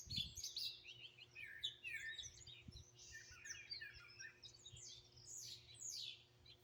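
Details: Wild birds singing and chirping in Greenville, South Carolina, raw phone recording: dense overlapping high chirps and slurred whistles throughout, with a low thump at the start.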